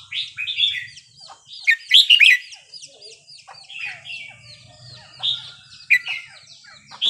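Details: Red-whiskered bulbul in Burmese song, 3-4-5-6 pattern, used to teach young birds: a loud bright chirped phrase near two seconds, plus many quick whistles and slurred notes from a surrounding chorus.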